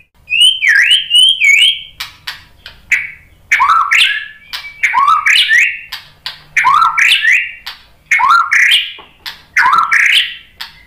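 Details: White-rumped shama (murai batu) song played as a pancingan lure to provoke other shamas into answering: a clear whistled phrase around high pitch with a sharp drop to a lower note, repeated roughly every second with steady rhythm, faint low hum beneath.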